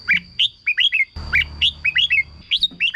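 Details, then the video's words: Red-whiskered bulbul singing to rouse caged birds: short whistled notes grouped in twos and threes, downslurred and repeated about once a second, with a brief low rumble midway and a constant thin high tone. "เสียงนกกรงหัวจุก สำหรับต่อ หรือ เปิดให้นกคึก เสียงเพราะๆ"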